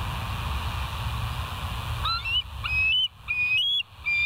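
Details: Bald eagles at West End, filmed by a live nature cam at 07:05 on 31 August 2023: after two seconds of low background rumble, a burst of high whistled and chipped notes, rising and falling, repeated in quick succession.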